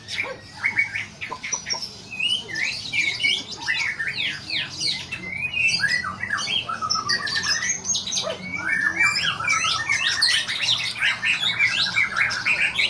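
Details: White-rumped shama performing at a singing contest, pouring out fast varied phrases of sharp whistles, buzzy trills and steep slurred notes in a long unbroken stream, with indistinct crowd noise low behind it.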